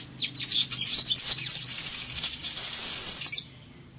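Village weaver giving a high, wheezy, sizzling song of rapid chattering notes that ends in a long buzzy hiss, lasting about three seconds.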